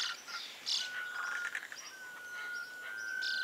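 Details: Sunbittern call: a long, thin, steady whistle on one pitch, first held briefly, then drawn out for well over a second and rising very slightly. Chirps and short notes from other birds sound in the background.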